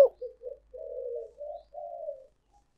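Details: Spotted dove decoy call for luring: two short soft coos, then a long mellow crooning phrase and two more drawn-out coos, all low and hollow, in a quiet, dry setting.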